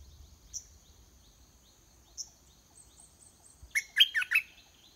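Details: Red-whiskered bulbul, a caged decoy singing to provoke a wild bird into fighting: sparse thin high notes, a few faint chirps, then a loud quick four-note warbled phrase closing the recording.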